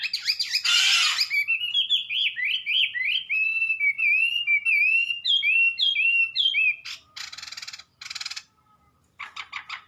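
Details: Wambi delivering a rapid chain of rising-and-falling whistled notes after a harsh buzzy opening, followed by scratchy noisy bursts and quieter notes.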